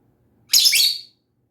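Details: Lovebird chirping: one sharp, high, buzzy chirp lasting about half a second, with a downward-sweeping tail, against a quiet background with a faint low hum.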